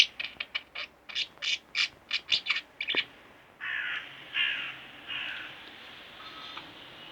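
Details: Pair of pet budgies chirping: a rapid series of about a dozen sharp, evenly spaced high chirps, then longer buzzy, chattering notes drawn out over several seconds.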